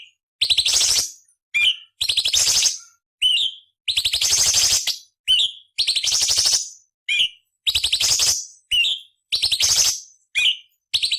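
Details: ["Cucak cungkok master recording for training murai, cucak ijo and kacer, featuring rough 'nyerecet' variations: long harsh rasping bursts each followed by a short bright whistled note, repeated steadily over eleven seconds."]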